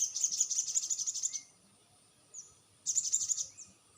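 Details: Crested jay lure call to provoke replying birds: a quick, shrill rattle of rapid pulses for about one and a half seconds, a pause with a soft note, then a second shorter rattle.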